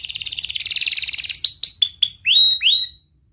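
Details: Canary singing as bait to start mute canaries: a fast high trill, then about seven sharp descending whistles with bright sustained tails, ending in silence.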